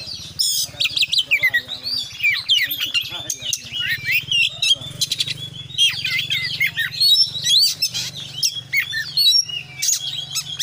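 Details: Oriental magpie-robin in long, dense 'full isian' song: fast overlapping whistles, chattering trills and crisp chips poured out continuously for over ten seconds, with a constant low hum underneath.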